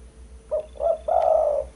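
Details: Spotted dove, or derkuku, cooing as a bird-trapping lure: short low note, a second fuller note, then a prolonged throaty coo.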